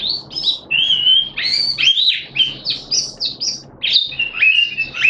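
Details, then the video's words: Malaysian Oriental white-eye (mata puteh) in special song display, February 2023: high chirps mixed with longer sweet whistled slurs, delivered in quick bursts with short breaks. "Malaysian Mata Puteh Happy Buka Sing"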